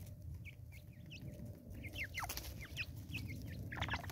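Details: Natal spurfowl calling in South Africa: a rapid run of harsh, downward-slurred cackling notes, closely spaced and somewhat irregular, over a steady low rumble of background noise.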